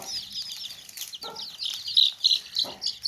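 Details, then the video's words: Baby chicks chirping in a basket: fast, piercing peeps several per second, a few standing out loudly, with one low cluck from a hen in the middle. "Baby Chicks Chirping Sounds In Tokri | Chicken's Chicks Sounds and Chickens Clucking Sounds"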